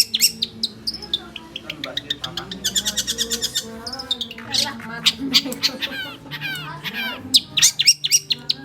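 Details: Continuous song of an oriental magpie-robin, mixing rapid trills of clicking notes, descending whistled slurs and scratchy bursts in a varied, fast stream, set over faint sustained background music.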